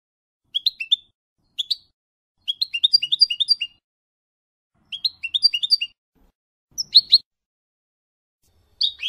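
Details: Goldfinch song of the F.O.C.S.E code, used for educating novice birds: short bursts of rapid, liquid twittering notes, each burst under a second long, split by quiet gaps of one to two seconds.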